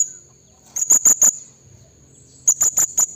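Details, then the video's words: Blue-crowned hanging parrot used as a lure to call rivals: two quick runs of three or four sharp, very high piercing notes, separated by a short pause, against a constant thin insect whine. "BURUNG SERINDIT BUNYI MEMANGGIL LAWAN HUTAN suara serindit PIKAT"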